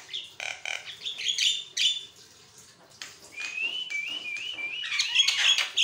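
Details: Javan myna singing nonstop, used as a master recording to set other mynas singing; harsh chattering bursts give way to a run of rising whistled notes, then dense mixed phrases.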